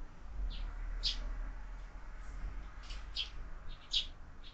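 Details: Sparrows at a window-mounted feeder where birds are fed year-round, with more and more fledglings arriving; short sharp chirps come in scattered bursts over a steady low rumble.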